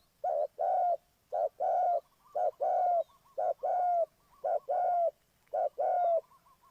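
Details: Spotted dove cooing steadily as a trap lure. Six evenly spaced phrases, each a brief coo and then a longer, smooth, mellow note, repeat roughly once a second in a quiet setting.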